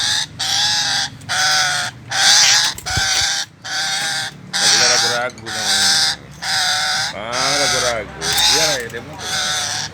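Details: Chattering lory, also called red-headed lory, calling with a steady series of loud, rasping, nasal screeches, about one a second. A man talks softly underneath.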